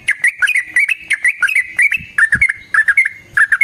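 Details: Sooty-headed bulbul lure song, clear and fighting style, with quick bubbly whistled phrases tumbling rapidly and continuously, a few sharp high clicks between notes and a brief thump mid-way.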